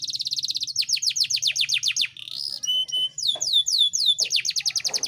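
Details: Male Yorkshire canary song meant to prompt lazy canaries into singing and breeding: a rapid high trill, then a run of downward-sweeping whistles, a brief buzzy section, more sweeping notes; low background hum.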